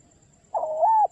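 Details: Spotted dove calling its companion, a single drawn-out hollow coo that rises slightly at the end, recorded close with a faint steady high tone in the background.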